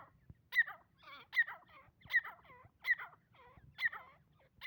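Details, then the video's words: Female grey francolin calling, a repeated series of harsh, wavering notes about once every three-quarters of a second, each with a sharp upper squeak and rolling lower tones; low background rumble. "Female teeter ki voice / dakhni teeter sound / teeter ki awaz"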